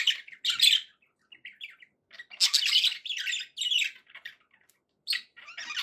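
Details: Contented budgerigar kept as a pet, uttering bursts of rasping chatter and bright tweets separated by short silences, some notes sharp and buzzy, others softer warbles, in a quiet indoor setting.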